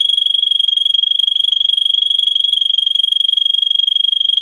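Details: Russian singer canary, a breed kept for its song, in a training recording for canaries: a rapid, very even rolling trill on one high pitch, pulsing about four times a second and sustained throughout.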